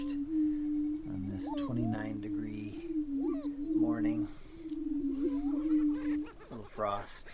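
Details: Greater prairie-chickens displaying on a lek at Tympanuchus WMA, northwest Minnesota, early morning in April 2019, give a low, hollow, steady moan droning almost without a break, partly covered by a man talking and faint other birds.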